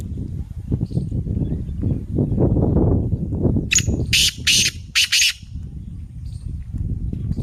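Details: Black francolin kept by bird fanciers and praised as a fast caller: a short series of four loud, harsh, rasping bursts in quick succession, heard over heavy low rumbling background noise.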